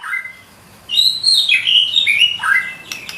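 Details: White-rumped shama singing imitated phrases: a short, fluid warble of high whistles and slurred notes rising and falling in quick succession.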